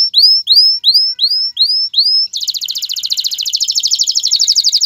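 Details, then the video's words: Male canary song meant to ready a female for mating and encourage nest building: six loud upswept whistles about every 0.4 seconds, then a fast, even, buzzy trill rolling on for over two seconds. "اقوى تغريد ذكر الكناري لتجهيز انثى الكناري للتزاوج و تحفّزها على بناء العش CANTO CANÁRIO"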